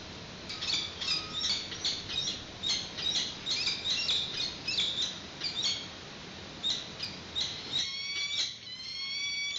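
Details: Peregrine falcons at a nest on a live webcam in Santa Cruz, March 2019. The male sees the chick for the first time and the female brings a yellow bird for its first feed. Dense bursts of harsh, strident notes repeat rapidly, then drawn-out thin whining calls follow.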